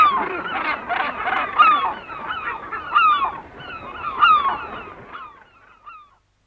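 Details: Gannet colony heard medium close-up, herring gulls calling and kittiwakes behind: raucous overlapping rasping chatter with repeated falling gull yelps, the din fading away over the final second.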